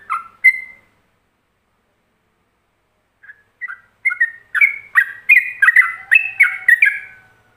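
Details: Yellow-vented bulbul whose ropelan song is played for other bulbuls to copy: two opening whistles, a pause of over two seconds, then a quickening burst of chattering warbled notes that builds in loudness.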